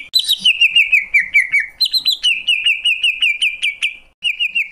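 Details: Greater green leafbird delivering quick chains of short whistled chirps that step down in pitch, then a higher burst followed by a steady run of repeated notes before a short pause.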